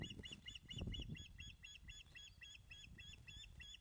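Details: Osprey at a Loch of the Lowes nest in Scotland, filmed by webcam on 19 May 2012 at 10.27am during a fish delivery: a rapid, steady run of sharp, slightly arched whistled chirps, about four per second, over low thumps and rustling at the nest.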